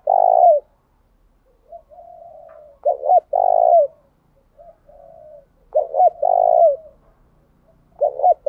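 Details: Captive decoy spotted dove, used to draw wild doves into calling back, repeating its phrase three times: soft low coos, two quick hiccuping notes, then a strong sustained coo that drops at its tail.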